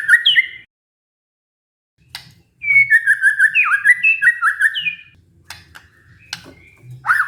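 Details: White-rumped shama lure song, played to encourage a stressed shama to sing again: brief whistled bursts separated by silences, with a fast run of looping, slurred whistles in the middle and a few sharp clicks over a low rumble.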